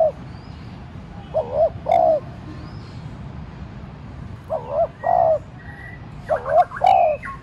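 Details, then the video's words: Lure spotted dove giving soft coos to incite wild doves to call: three paired coo phrases, each a brief note followed by a longer hollow coo, with short chirps and whistles from other birds nearby. "cu gáy mồi cây thúc nhẹ kích cu bổi dễ gáy. tiếng cu đất gáy thúc"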